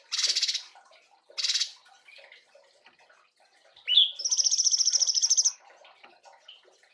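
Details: Cungkok bulbul singing to train other songbirds: two short harsh bursts open, then after faint chatter a sharp rising note leads into a steady, fast, high trill of about a second and a half, ending with a soft chirp.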